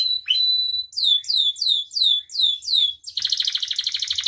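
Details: Canary in lively gacor song full of isian fill-in phrases, used as masteran tutor and pancingan lure: a steady high whistle, then a run of downslurred whistled notes about four per second, ending in a fast buzzy roll.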